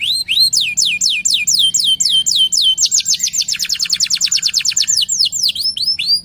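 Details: Energetic local canary pancingan song, used as a lure and tutor recording: a steady series of high swooping whistled notes about four per second, breaking into a rapid dense trill, then returning to slower sweeps.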